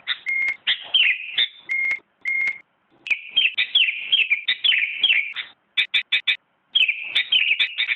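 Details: Sooty-headed bulbul that won first place in a 2017 contest, giving a mix of steady whistled notes, fast chattering warbles and clipped, sharp repeated chips, broken by short silent gaps.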